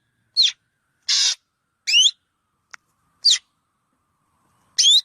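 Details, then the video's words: Black drongo giving spaced, irregular calls: bright slurred whistles that bend down then up, mixed with one broad grating rasp and a faint click, separated by pauses of up to a second and a half. "Suab noog quaj suab ntseg ntshauv .tiếng chim chèo bẻo kêu chuẩn"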